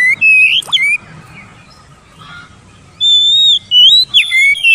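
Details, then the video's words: Oriental magpie-robin whistling, recorded to spur lazy, mute birds into song: a brief burst of slurred notes, a quiet pause of about two seconds, then loud clear sustained whistles and sweeping notes. "TERAPI MASTERAN BURUNG KACER BISU MALAS BUNYI"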